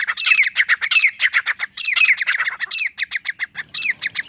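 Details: Lone male grey francolin giving a fast, continuous series of harsh, strident notes, each with a downward slur, grouped in pulsing bursts with no other clear sounds.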